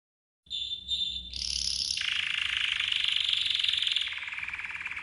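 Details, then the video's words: Red canary training song, used to teach other canaries: after brief silence, a few pure whistled notes, then a dense, rapid rolling trill that carries on steadily to the end. "Red CANARY Training Song 12h"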